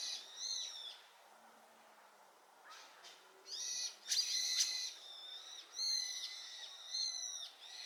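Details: Brown-eared bulbul responding to a flock chorus: scattered loud, screechy harmonic calls, some brief clicking noises between bursts, and quieter gaps.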